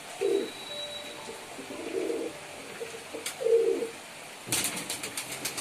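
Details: Pigeons cooing in low, burbling phrases, three coos over several seconds, followed by a burst of sharp rustling and clattering, perhaps wings or feet on a surface.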